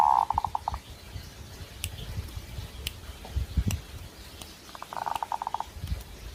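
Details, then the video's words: Zebra dove in breeding condition: a cooing phrase of rapid pulsed beats, then low knocking and rumbling noise, then a second pulsed phrase a few seconds later. "Suara Burung Perkutut Sedang Birahi"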